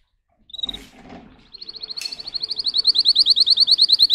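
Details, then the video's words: Singing Russian canary, a breed kept for song: faint scratchy notes open, then a rapid series of slurred high notes grows steadily louder and more regular. "Canary Singing"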